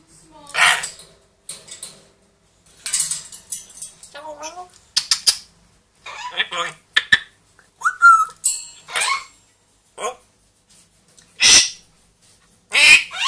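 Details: A two-year-old African grey and a one-year-old Amazon, household pets, talking, singing and imitating sounds: a busy run of whistled slides, clicks, voice-like phrases and harsh squawks, with no long pauses.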